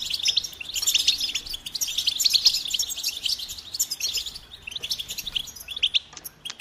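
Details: A goldfinch sings a lively, high-pitched medley of twittering notes, short trills and sharp chirps, busiest early on and becoming sparser near the end.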